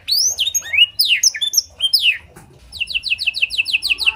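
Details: Canary with blackthroat song fill, played as a tutor to set other canaries singing. Rich sweeping whistles fill the first half, then after a short break comes an even series of quick, high, repeated notes.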